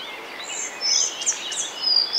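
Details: Male Collared Flycatcher singing in Bavaria, Germany, in May 2020: short burst of thin, high squeaky notes and quick slurred whistles, loudening toward the end over a faint hiss of background noise.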